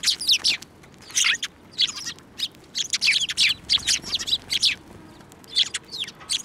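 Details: Sparrows flocking to a hand to be fed at a Tenmangu shrine, 15 March 2024; continuous lively chattering, with loud bursts of chirps coming about every half second.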